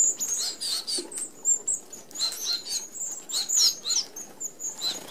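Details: Feeding flock of red-browed finches, native to Australia, at a sparrow-excluding mesh feeder: a continuous chatter of overlapping shrill peeps and wavering squeaks with steady wing whirring.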